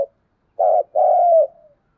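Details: A spotted dove calling at dawn gives a low, mellow two-part coo: a short hooting note, a brief pause, then a longer, throaty note that trails off softly. The background is quiet.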